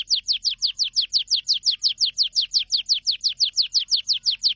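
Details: Canary song as a steady series of sharp descending whistled notes, about three per second, evenly repeated throughout.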